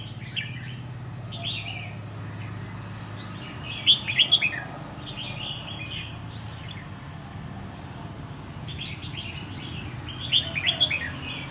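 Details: Red-whiskered bulbul, caught wild and kept a year until contest-ready, sings two loud bursts of rapid, bright, rising chirped notes about six seconds apart, with quieter twittering phrases and low background hum in between.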